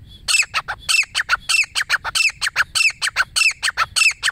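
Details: A single wild female grey francolin calls with loud, strident, grating notes delivered in a quick, regular series, some notes paired, the harsh rhythm running unbroken over a low background hum.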